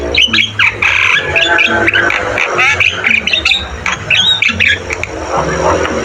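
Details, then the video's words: Jalak kebo, the Javan myna, in full song: rasping squawks mixed with bright slurred whistles and quick clicking notes, delivered nonstop over a faint low humming drone. "Masteran burung jalak kebo gacor"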